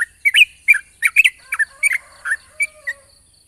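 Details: Yellow-vented bulbul singing a long 'ropel panjang' phrase in the morning, played as a lure to get bulbuls to call: a quick run of bright gurgling chirps that thins out and fades toward the end.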